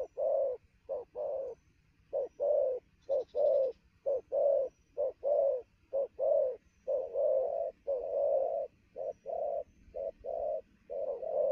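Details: Freshly caught spotted dove cooing at speed around noon, full of energy; a steady run of low mellow coos, short and drawn-out notes alternating about every second.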